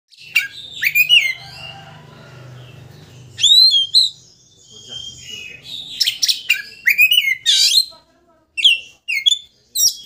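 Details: Oriental magpie-robin in full song, used as a lure to provoke a rival into opening its tail: loud rich whistles, sweeping upslurs and rapid chattering phrases in bursts separated by short pauses, with a faint low hum underneath.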